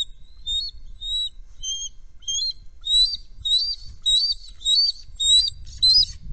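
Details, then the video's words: Trio of bald eagles on a nest calling when a threat is perceived, a steady series of high, thin chittering whistles, roughly two each second, growing louder toward the end over low wind rumble. "Threat perceived, flight and return - Trio Bald Eagles"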